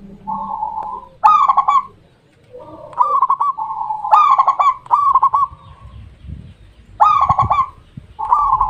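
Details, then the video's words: Zebra dove, a local Indonesian perkutut, singing a series of rapid, stuttering coos near one kilohertz, bursts of clipped notes ending in drawn-out tones, repeated about every two seconds with faint low background hum. "The sound of the super best local dove ,,,Burung perkutut lokal super nikmat di dengar"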